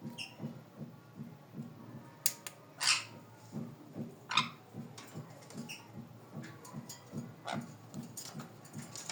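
Sun conure chicks give thin, high squeaks over a steady low pulsing background.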